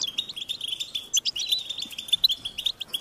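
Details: Hungry European goldfinch chicks calling their parents for food: a steady, rapid stream of high, insistent chirps, near-continuous, with a few brighter squeaky notes standing out.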